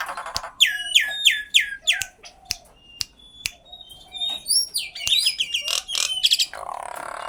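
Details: Common myna giving a varied run of calls: a series of descending whistled notes, sharp dry clicks, rising high squeaky phrases and a harsh burst at the end, delivered in quick, irregular succession.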